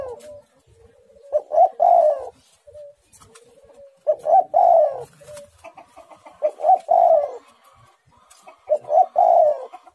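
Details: Spotted dove in full song, repeating a three-part cooing phrase about every two and a half seconds: quick rising lead notes, then a loud, husky, falling coo, with soft level coos between the phrases.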